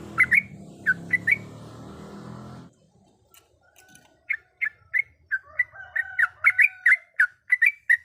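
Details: Yellow-vented bulbul female, in breeding condition, calls to attract a male with bursts of short liquid chirping notes. After an opening run with low rumbling noise, a brief near-silent pause gives way to faster, denser chattering.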